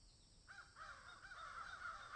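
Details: A crow in a garden shared with magpies gives a hoarse opening caw followed by a continuous run of rasping caws.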